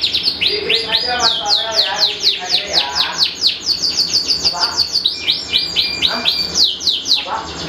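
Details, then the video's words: A panda-marked Iranian canary delivers a continuous song of fast, repeated downslurred chips in rolling trills, with shifts in speed and faint lower twittering underneath. "Kenari Rasmi Iran Panda Simetris Mewah Durasi Panjang Anti Ruji"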